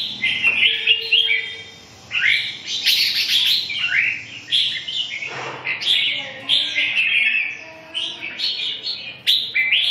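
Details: Red-whiskered bulbul in steady song: rapid runs of clear, lilting whistled notes rising and falling, delivered in bursts of about a second with short gaps, a faint low hum beneath.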